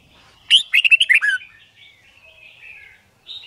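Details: A red-whiskered bulbul, in song-training for fighting and song learning, gives a quick burst of five or six bright, liquid, whistled notes. Softer warbling follows, then a single clear note at the end.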